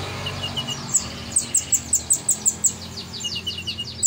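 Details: Vigorous kolibri ninja sunbird song: soft lower chirps, then a brisk series of about nine loud, piercing high notes, followed by more soft chirps.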